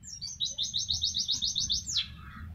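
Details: Pleci, a white-eye, giving a tembakan tutoring song: a fast, even run of about a dozen high sharp chips, ending in a steep downward-sliding whistle, over faint low background hum.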